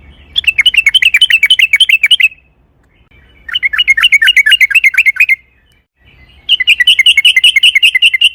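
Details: Sooty-headed bulbul in long rolling song intended as a lure: three separate bursts of rapid, buzzy trilled chirping, each lasting about two seconds, with short silences between.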